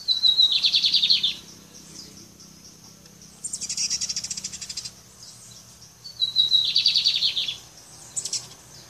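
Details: Lined seedeater, known locally as bigodinho, singing three high phrases, each a brief thin whistle leading into a fast buzzy trill, with pauses of about two seconds between phrases and a faint low hum behind.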